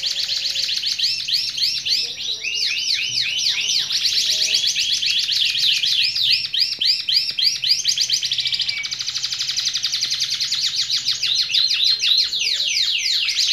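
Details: Caged canary singing a long, loud, continuous song of rapid repeated trills and rolling chirps, high-pitched, changing phrases every second or two, with a steady faint low hum beneath.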